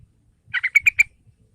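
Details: Sooty-headed bulbul, a sound meant to prompt a young bulbul to sing: a brief phrase of five notes, the first two lower and buzzier, the last three sharper and clearer, over faint low background noise.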